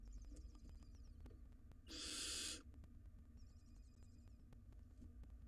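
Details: Barn owl nestlings, wild, in a monitored nest box squabbling over food: a single rasping hiss-screech of under a second, with soft chittering before and after and a low background hum.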